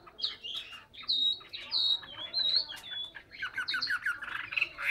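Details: Hwamei song recorded in Hà Nội, Vietnam: a jumble of clear whistled slurs and harsher chattering notes over a noisy background hum.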